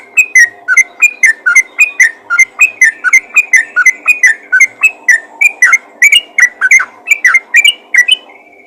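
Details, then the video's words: 'Ropel' calling by a yellow-vented bulbul summoning others of its kind: a long, even series of bubbly, slurred whistles, close to three notes a second, ending on a slightly higher phrase. "panggilan burung trucukan ropel gacor memanggil trucukan lain"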